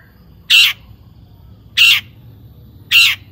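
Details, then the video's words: Long-tailed shrike used as a lure for other shrikes: three loud, harsh, rasping notes, evenly spaced about every 1.2 seconds, over quiet background. "Kicau cendet gacor AMPUH EMOSI TINGGI, pancingan CENDET AGAR BUNYI jadikan BURUNG PENTET GACOR AKTIF"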